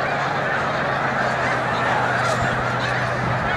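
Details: Snow geese on migration near its peak at Montezuma, New York, on 7 March 2022, a huge flock taking flight; dense overlapping nasal honking forms a continuous roaring wash of calls, with a steady low hum beneath.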